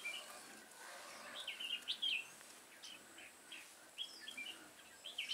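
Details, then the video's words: Red-whiskered bulbul singing as a trap decoy to draw in wild bulbuls, 28 September 2017, Vietnam; scattered clear whistled notes and short warbled phrases spread across the clip, with a constant high insect whine behind. "Bẫy chào mào Chơi tít mù mau mỏ"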